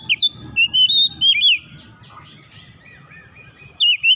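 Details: Oriental magpie-robin song used as a lure to get a quiet bird singing. A sharp high note leads into clear wavering whistles and a falling slur. After a pause of low background hum, two bright slurred whistles return.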